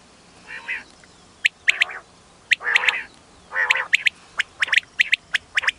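A female quail gives sharp, high clipped notes, roughly one a second, mixed with short raspy, nasal bursts. No other sounds stand out.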